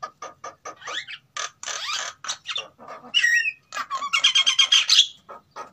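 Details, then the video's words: A captive-bred white-necked myna pair from Sulawesi, both sexes singing in breeding condition, used as a lure sound. Quick rough notes and wavering whistles lead into a loud, dense burst of rapid ringing chirps, then the singing trails off. "Suara Pancingan JALAK KEBO GACOR Jantan vs Betina Sama-Sama Gacor"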